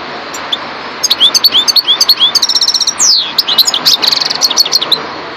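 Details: Goldfinch, subspecies parva, opening after a near-silent second into a lively run of tinkling chirps, a fast buzzy trill, a long downward-sweeping whistle around three seconds, then more quick liquid twitters.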